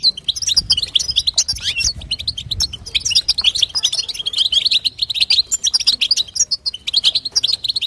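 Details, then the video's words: Rapid, continuous twittering of a female European goldfinch, the batbata chatter played to stir a male into song; liquid, jingling notes pour out almost without a break, with faint low rumbling early on. "بتبتة وستسته حسون تجعل الحسون يغرد فقط اسمعه اذا لم يغرد حسونك اثنى"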